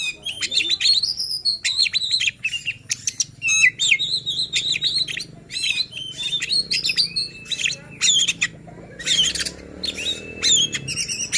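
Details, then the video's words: Singing white-rumped shama, played to make other shamas agitated and persistent in song: bursts of clear slurred whistles alternate with sharp clicking chatters and brief pauses, repeated over about eleven seconds. "Suara KACER Buat EMOSI dan NGOTOT Kacer Lain | Pancingan Kacer Malas Bunyi."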